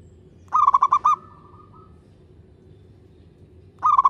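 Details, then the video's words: Wild local zebra dove cooing, recorded for luring birds: a clear, crystal-toned phrase of five quick bubbling coos followed by a drawn-out level note, then a fresh series of rapid coos begins about three seconds later. "Suara perkutut lokal alam gacor | suara kristal jernih bagus untuk pikat!!"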